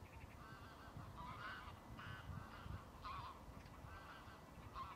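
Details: Greylag geese in the Lagunska ribogojnica nature reserve on 17 March 2023 give harsh, nasal honks in bursts about once a second, some rising, over a steady low rumble of wind.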